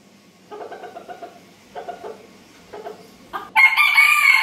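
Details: Rooster giving a few short, low clucking bursts in groups, then breaking into a loud, harsh, strained crow held to the end.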